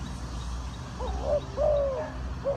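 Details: Spotted dove linked to bird trapping in Ninh Thuận, Vietnam: a few low, hollow coos, some short and one longer drawn-out note, over a steady low rumble of background noise.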